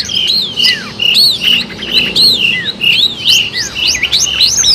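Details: A gacor long-tailed shrike, sung as a trapping lure, gives clear whistled notes that swoop up and drop down in quick succession, with several steep descending slurs and a few thin high chips between them.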